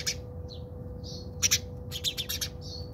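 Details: House sparrows fighting in a South African backyard give short whistled notes, then a quick run of harsh chirps and chatter, over a low steady hum.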